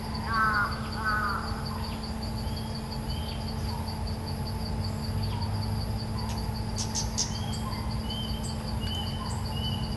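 Red-eyed bulbul gives two quick bursts of harsh, bubbling chattered notes at the start, then falls quiet over steady insect buzzing and a low hum.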